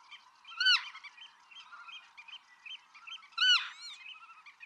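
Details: Black-tailed godwit in Pingtung County, Taiwan, 6 October 2015: two loud, nasal, arched calls about three seconds apart rise above a dense, chattering chorus of higher, shorter bird calls.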